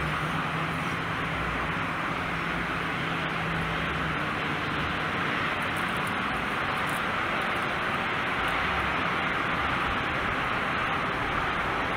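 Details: Only steady, loud broadband rushing noise like wind or distant traffic, with no animal calls.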